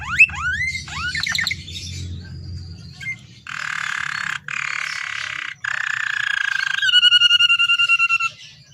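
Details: Richly varied canary song used as a lure for captive canaries: rising upswept notes, a thin held whistle, two broad buzzy rolls, then a long, evenly pulsing whistled trill, over a low hum.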